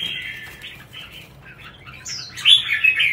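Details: Red-whiskered bulbul in competition singing. Soft, scratchy warbles build into a loud, bright burst of quick whistled and chattering notes near the end.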